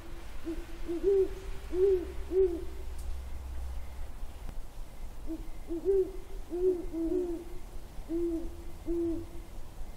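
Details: Great horned owls calling on January 17, 2022, with deep rounded hoots in short bursts, a quiet gap of about three seconds, then more hoot series that partly overlap, against a faint continuous low drone.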